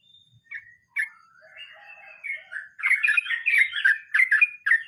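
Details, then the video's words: Sooty-headed bulbul, 'ngeroll mbonang' style: starting with sparse soft notes and a drawn-out gliding whistle, then bursting into a dense, jumbled run of bright bubbling notes. "Trucukan nge roll mbonang istimewa"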